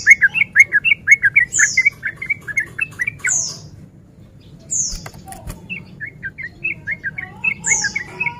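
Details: Male sooty-headed bulbul in breeding condition, lure song meant to provoke other males: a fast run of warbled chattering notes with high whistles, then a quiet pause with a couple of knocks, then softer chatter returning.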